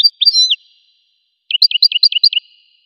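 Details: A goldfinch opens with a drawn-out wavering slurred note. After a silence it gives a quick string of six paired high chirps. The setting is quiet, with no other sounds.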